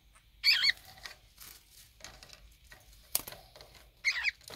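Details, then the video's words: Pair of conures bickering while bathing in drinking water, 23 February 2019: a loud, harsh squawk at the opening and another near the close, with splashes and clicks between. "식수로 목욕하며 싸우는 코뉴어부부"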